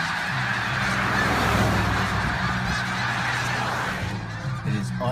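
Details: Massive flock of snow geese at Bridgeville, Delaware, filling the air with a dense, continuous chorus of overlapping nasal honks. The clamor holds steady throughout, with no single bird standing out from the mass.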